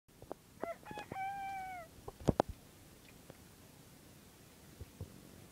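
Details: Pet bantam rooster crowing: a short, hoarse cock-a-doodle-doo ending in a held, slightly falling note, followed by a few clicks and knocks in a quiet room.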